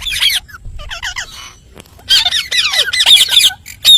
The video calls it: parrot natural sound